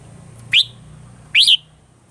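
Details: Red-whiskered bulbul singing at morning in a mature wild style, used to train other birds. Two separate sharp upslurred whistles about a second apart, the second doubled and richer.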